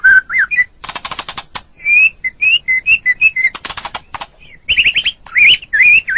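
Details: White-rumped shama song used to train caged birds, mixing sustained pure whistles, rapid buzzy clicking trills and looping rising-falling whistled phrases in a varied, energetic sequence.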